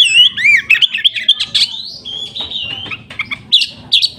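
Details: Oriental magpie-robin singing a rich, varied run of whistles, chirps and slurred notes, some rising, some falling, delivered rapidly and almost without pause over several seconds.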